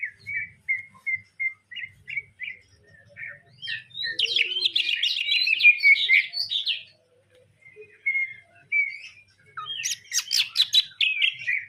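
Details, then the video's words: Greater green leafbird singing a sparrow-filled song: short spaced whistled notes give way to dense, rapid scratchy chatter, a brief pause, then harsh buzzy chirps and whistles, with a low hum beneath. "cucak ijo isian gereja"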